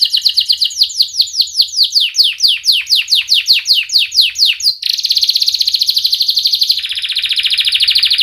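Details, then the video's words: Song of a canary used to train young canaries to sing: a rapid series of sharp descending whistled notes, then a fast buzzy trill that drops slightly in pitch near the end. "Kenari Gacor speed Rapat WIT Wit Tajam Cuit cuit ngeroL, pancingan kenari PAUD BELAJAR BUNYI"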